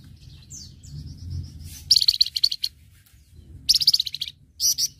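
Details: Flamboyan singing energetically, recorded as a master track for training other birds: thin descending whistles, then two loud bursts of rapid high buzzy trills and a short final burst, over a soft low hum.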